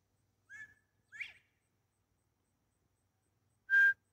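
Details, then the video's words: An escaped Northern Bobwhite, of unknown sex, was trying to join uninterested California quail. It gives a two-part whistled call with the second note slurring upward, and a person answers with a loud, steady whistle, part of an hour-long back-and-forth. "The Quail Conversation"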